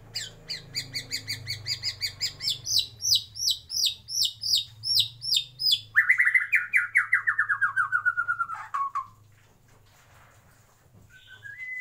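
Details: {'caption': 'White-rumped shama singing in a breeding aviary: fast series of repeated sharp chipping notes, about three per second, then a loud descending buzzy rattle and a brief rising whistle, over a low steady hum.'}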